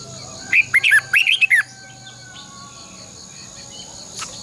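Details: Decoy red-whiskered bulbul kept in a cage for training other birds, delivering one rapid burst of about seven loud twisting whistled notes, then quiet with faint background hum and a soft click near the end.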